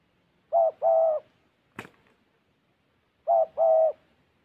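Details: Decoy spotted dove used for bird trapping in Gia Lai, Vietnam, said to call well and carry far: two phrases of low cooing, each a short coo followed by a longer drawn-out coo, separated by a sharp click and a pause.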